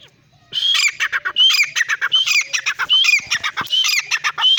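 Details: Male and female francolins fighting, giving harsh, raucous squawking calls in rapid overlapping bursts, each with a brief high whistled note, repeating roughly every second.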